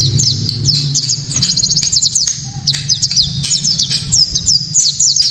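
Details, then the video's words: A white-eye's loud, piercing 'tembakan' song, used to make rival white-eyes join in: fast bursts of high down-slurred chirps, including a quick even rattle, separated by short breaks, over a low hum. "Pleci kaca mata‼️tembakan‼️penuh sensasi‼️ pleci bakalan ❓ pasti langsung ikut Gacor"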